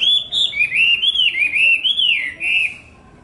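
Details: Chinese hwamei (họa mi) singing a continuous run of loud, clear whistled notes, rolling up and down in slurred loops, rich and fluid, fading out near the end.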